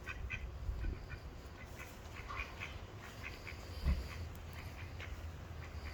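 Mallard giving soft, nasal quacks in short loose runs, half buried under a steady low rumble and a thin high-pitched whine.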